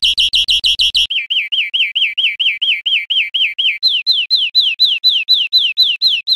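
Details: European Greenfinch song, Spain, 2013, changing through phrases: a fast buzzy note series, then repeated wavering whistled notes, then a run of clear downslurred notes, all evenly paced.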